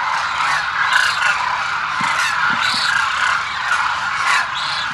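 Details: Demoiselle cranes massed at Kheechan, Rajasthan, near Jodhpur: continuous overlapping honks and trumpets from many birds, with a few clearer rising notes standing out above the crowd noise and some faint low knocks midway.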